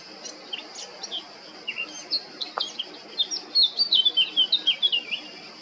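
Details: Male Eurasian blackcap singing on 20 July 2022 at Baška on the island of Krk, Croatia: scattered high chattering notes build into a fast, loud run of clear warbled phrases near the end, over a steady high-pitched background drone.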